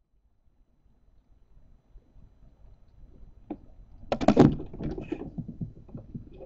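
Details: Indoor knocks and thuds build from near silence into a loud clatter of bumps and scraping, with no animal calls.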